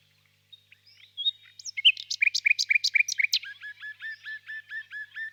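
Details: Nightingale singing in a spring birch grove at evening: a whistle, then loud paired notes repeated rhythmically, shifting into a steady series of softer, lower slurred notes about five per second.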